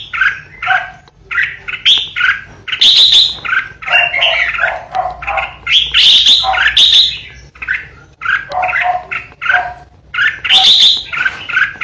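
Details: A kept decoy red-whiskered bulbul pours out ché song, dense loud warbling of rapid chirps, slurs and shrill high notes in long phrases separated by brief gaps.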